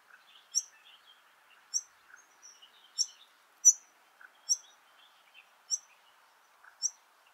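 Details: Begging chirps from two fledgling White-plumed Honeyeaters at Laratinga Wetlands, South Australia, in January 2021: sharp, high notes repeated roughly once a second, with softer twittering between them and a faint lower buzz in the background.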